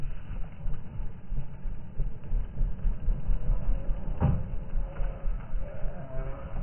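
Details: Low, steady engine rumble, like a vehicle driving, with a brief thump partway through and no animal calls.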